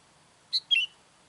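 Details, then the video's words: A single sooty-headed bulbul call meant to lure wild bulbuls: a clipped high note followed by a slightly longer, lower slurred note, clear over a quiet background. "SUARA KUTILANG MANGGIL KUTILANG LIAR"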